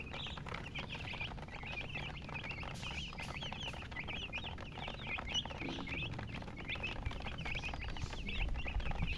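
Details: Baby chickens peeping in a dense, continuous chorus of short high chirps, many overlapping at a rapid rate, with a steady low rumble underneath throughout.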